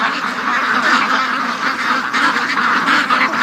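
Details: A crowd of free-range ducks rushing out in the morning, overlapping loud nasal quacks merging into one constant noisy chorus.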